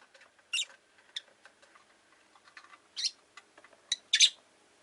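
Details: Several shrill, buzzy lovebird chirps from a group of five caged Rosy-faced lovebirds kept by a window, with quieter chatter between them and a last burst of two quick calls.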